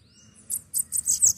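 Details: Caged pet bananaquit sings while its owner plays with it: very high, thin, hissing buzzy notes in four quick bursts after a faint rising whistle, with a man's voice soft in the background.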